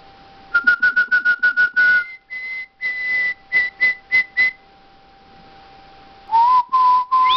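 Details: Pet canary singing indoors, its song likened to a drunken machine gun: a rapid burst of short clipped whistled notes, a pause, then slower steady notes on one pitch, ending with rising whistled phrases.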